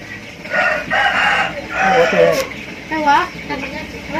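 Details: Rooster of a Thai native chicken crowing: drawn-out harmonic crows in two bursts, the second bending downward, mixed with human voices talking over it.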